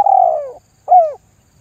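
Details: Spotted dove lure call meant to draw other doves into calling: one long, slightly falling purred coo followed by a short arched coo, clean and loud with no other sounds.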